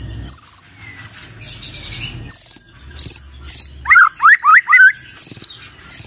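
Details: Magpie-robin recorded as a morning lure to get other birds singing: a rich, varied phrase of high sharp notes, buzzy rattles, four quick rising whistles, then more high chatter.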